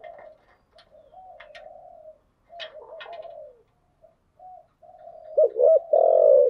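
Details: Spotted dove decoy calls for luring wild doves: quiet soft murmured notes and faint clicks, ending with a loud pair of short coos and one long drawn-out coo.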